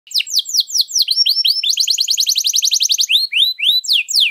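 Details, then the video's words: Canary singing a long, rich song used as a master for training other birds: rapid descending whistled notes change into a fast buzzy trill, then slower upslurred phrases. "Kenari Gacor Panjang Lagu Mewah, ampuh buat pancingan atau masteran"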